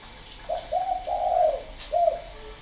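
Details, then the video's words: Northern Vietnam spotted dove kept at a breeding farm near Ba Vì, Hanoi, giving one full cooing phrase: a short coo, a slightly longer coo, a long wavering drawn-out coo, then a clipped final coo after a brief gap. "chim cu gáy hay 88 miền bắc"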